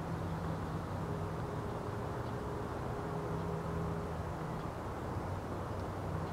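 Low, steady vehicle rumble with a constant mechanical hum throughout, and no animal calls heard.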